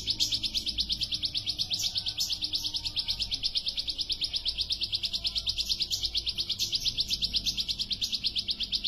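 A bar-winged prinia sings a fast, unbroken run of high, sharp notes, about eight a second, with a faint hiss behind it.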